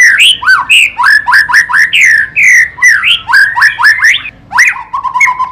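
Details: Murai batu, the white-rumped shama, from a 2017 best-song compilation, singing rapid varied whistled phrases, rising and falling slurs repeated about twice a second, then lower steady notes near the end.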